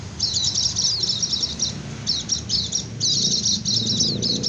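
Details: White-eye song in the rapid ngecir style, used as a lure for wild white-eyes and to make reluctant birds answer: high, thin, fast twittering bursts in three runs with a short gap, over low background rumble.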